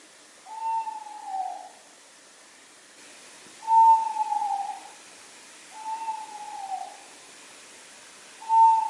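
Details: Tawny owl at night in a sleeping forest: four long, round, slightly falling hoots, each about a second long, spaced roughly two to three seconds apart in an otherwise quiet background.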